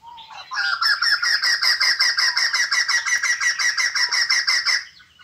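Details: Caged white-crested laughingthrush, said to sing and dance all day after a gecko meal, delivers a rapid laughing chatter of about twenty evenly spaced harsh notes, roughly three per second, after a short rising whistle.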